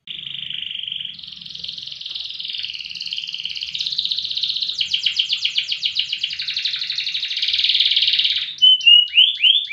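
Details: Canary performing loper song, praised for duration and volume. A steady high trill gives way to rolling, pulsed phrases, then ends with a few sharply upswept whistled notes.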